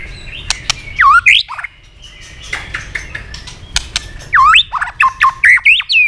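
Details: White-rumped shama fighting song, fast and intense, with tail flicking: a short swooping whistled phrase, a pause with sharp clicks, then a longer run of looping rising and falling whistles.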